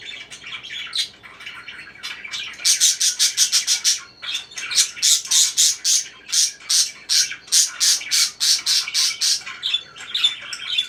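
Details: Parakeet chirping in a fast run of short, harsh, evenly spaced chirps, roughly three per second, with a brief pause in the middle before the rapid series resumes.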